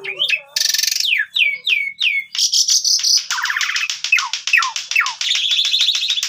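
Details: Asian pied starling song used to train young starlings: rasping buzz, a run of falling whistled slurs, then fast buzzy chatter and trilled repeated notes.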